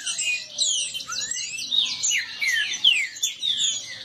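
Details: A brief burst of competing song from several caged green-winged saltators: bright whistled slurs, some long rising glides, layered densely over one another.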